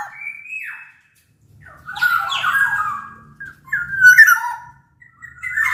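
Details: Sumbawa black-naped oriole with a bigger body than Bali or Java birds, used as a lure for reluctant singers: a rising whistle, then a pause, then raspy slurred phrases and a sharp fluty burst.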